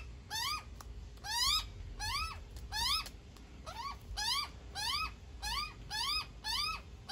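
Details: Young magpie calling while being fed by its mother, giving a series of about eleven sharp upward-sliding squeals, each short and harmonic-rich, spaced roughly every two-thirds of a second.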